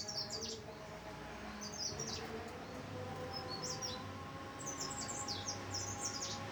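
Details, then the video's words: Mountain leaf warbler singing short, high-pitched twittering phrases of rapid sliding notes, repeated several times across the recording, with a constant low electrical-sounding hum underneath. "Suara merdu burung cikrak daun super gacor"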